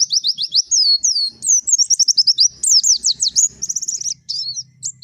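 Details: Forest-style white-eye in energetic song: dense, high, twittering phrases of quick upslurred and downslurred whistles, bright and continuous, with soft low background noise beneath.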